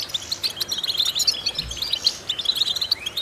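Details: European goldfinch singing a stimulating training phrase, quick high chirps and tinkling notes bunched in short volleys, ending on a rising slurred note.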